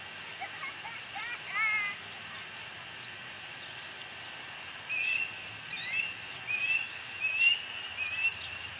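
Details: Osprey at a ranch nest on 26 August 2020 during a fish delivery: faint, thin upslurred chirps, a few early then a run of five repeated about every half second, against steady rural background hiss.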